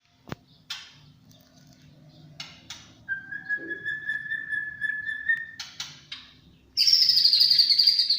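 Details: A champion white-rumped shama singing in the 'tembakan cililin' style: scattered short chips, a long steady whistle held for about two seconds, then a loud, shrill, buzzy trill at the end.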